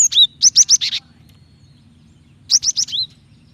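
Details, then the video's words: Female Java sparrow calling the male, intended to make males sing; two quick bursts of bright, high downslurred chips ending in a slurred falling note, roughly two and a half seconds apart, with low hum beneath. "Gelatik betina gacor memancing bunyi"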